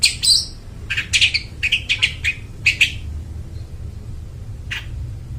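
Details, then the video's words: Prolific long-tailed shrike with a loud, clear voice, used to train mute shrikes. A quick, uneven series of short, harsh chattering notes runs for about three seconds, then one fainter rasp follows. "suara burung cendet gacor suara plong cocok buat pancingan burung cendet bisu"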